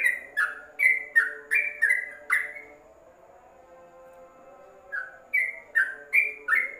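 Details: Yellow-vented bulbul tutor song for birds kept in a covered cage: a burst of bright, down-slurred whistles, a pause of about two seconds with only faint hum, then a fresh run of bubbly whistled notes.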